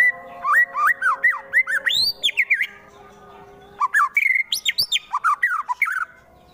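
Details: Murai batu, the white-rumped shama, recorded in Wonosobo, Central Java, Indonesia, delivering a fighter's provoking song: loud, varied whistled phrases with rising and falling slurred notes in two dense bursts split by a short gap.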